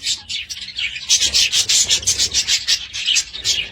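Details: Budgerigar twittering as a rapid string of rasping pulses, about three a second, that grows louder after a quieter start.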